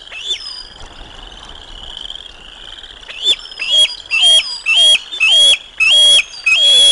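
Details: Bald eagles at the Decorah North nest as lunch is brought to the eaglets, dated 05 06 2022: after a lone squeal, a run of about seven loud, high piping squeals with rich overtones, each sliding downward, over a steady high-pitched drone.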